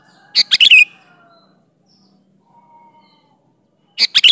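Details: Vigorous natural song of a sooty-headed bulbul, played to lure bulbuls into replying; a burst of rapid harsh chirps at the start and another after a long quiet gap of over three seconds, plus a faint steady tone.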